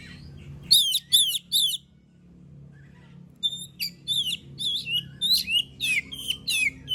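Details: Oriental magpie-robin (kacer) in lively song used to provoke other birds to sing: a burst of three sharp swooping notes, a silence, then a long series of rapid, varied whistled syllables.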